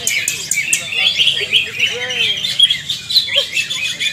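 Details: Greater green leafbirds (cucak ijo) in a joint training session, song style called ngalas nembak: busy, rapid whistled phrases and chattering notes tumbling over one another, with quick upward sweeps and short clicks throughout.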